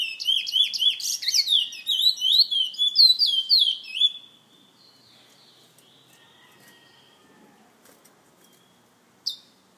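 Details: Bullfinch from a San Fernando bird lovers association belting out about four seconds of fast, bright whistled phrases with looping slurs, then falling silent except for one sharp click near the end.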